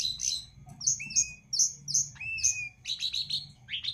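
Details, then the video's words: An Ashy Tailorbird sings a lively run of sharp, high chips and short slurred whistles, with bursts about every half-second and no other sounds. "Burung Jongkangan Gacor dor"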